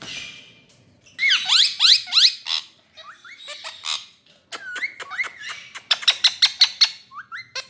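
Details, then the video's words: Ringneck green parrot in India calling loudly: rapid runs of harsh, screechy notes interspersed with short rising whistled squeaks, delivered in bursts of about three per second over several seconds. "Ringneck Green Parrot"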